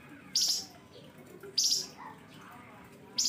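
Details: Flamboyan bird giving fierce 'nembak pedes' chirping, used as a lure for other birds: three loud, harsh, very high chirp bursts, each about a third of a second long, spaced roughly 1.3 seconds apart over a quiet background.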